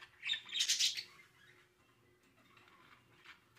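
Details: Budgerigar chicks inside the nest of the rescue parakeet Dee give a quick burst of raspy, high squawking chirps lasting under a second, then fall to faint scratchy rustles.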